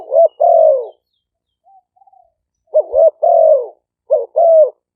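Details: Two spotted doves of Malay and 'pha phon' song styles, sometimes singing together, used as lure sound; repeated phrases of a brisk two-part wavering coo leading into a sustained falling coo, with brief soft notes between.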